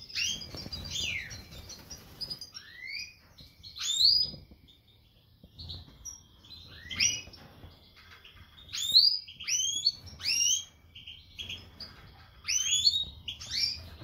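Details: Caged European goldfinch of the Major type, brown whitehead colour mutation, singing a lively twittering song of quick bright chirps and rising tinkling notes in bursts every second or two, with quieter gaps between phrases.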